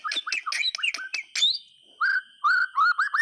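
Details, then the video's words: White-rumped shama song, a lively bird used to prompt silent or resting shamas into singing: rapid varied whistled and chattering notes, a pause, then repeated rich slurred whistles near mid pitch, over a steady high electronic tone. "SUARA BURUNG MURAY TERGACOR COCOK UNTUK PANCINGAN MASTERAN"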